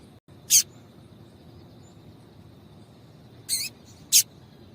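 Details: Three crisp high chips from a female Yellow-bellied seedeater calling to stir up the male: one early note, a long pause, then two quick notes about half a second apart, with faint steady hiss behind.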